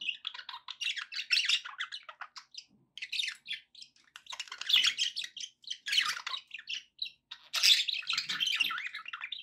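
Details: Several pet budgerigars in near-continuous chirping chatter, with rapid scratchy warbles and sharp tweets in overlapping bursts that swell and fade every second or two, with a few short gaps.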